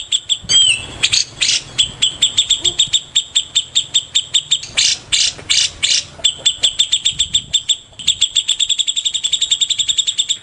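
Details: Morning singing of a white-rumped shama: crisp, clicking double-pitched notes in quick runs, broken by a few harsher rasping bursts, speeding up toward the end.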